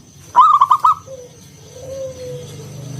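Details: Local zebra dove giving a ngalun kung bulat song, used to coax other doves to sing. A quick stuttering trill of bright notes is followed by a long, lower, drawn-out coo.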